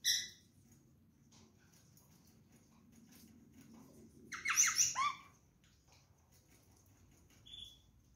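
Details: A pair of rose-ringed parakeets eating orange and apple pieces with the seeds removed; a harsh, harmonic squawk at the start, then a louder burst of rasping squawks midway and a short high note near the end, over quiet room hiss.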